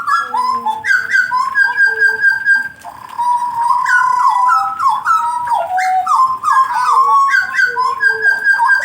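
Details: A blorok is warmed up for singing. It pours out strong whistled notes that jump between higher and lower pitches in fast runs. There is a brief pause near the middle, then it resumes with lively, varied phrases.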